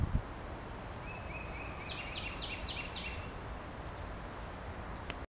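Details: A distant Black-and-white warbler high in a tall tree in Macon, Georgia, on 22 April 2013 sings a thin, high, squeaky wee-see phrase about seven times in quick succession over a steady low background rumble.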